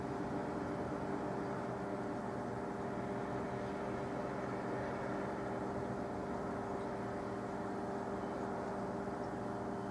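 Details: Continuous mechanical hum with steady low tones and broadband hiss, and no animal calls.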